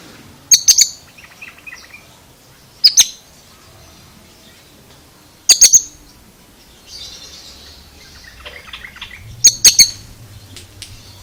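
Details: Oriental magpie-robin giving an unusual, strange-sounding vocalization: sharp, high, clicking double and triple bursts repeated every two to four seconds, with softer scratchy, chattering notes between them and a faint low hum in the background.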